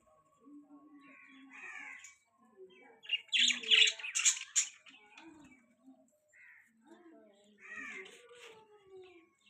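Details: Budgerigars chirping: soft, low, wavering warbles build into a loud cluster of harsh, scratchy chirps mid-way, then fall back to gentle murmuring chatter.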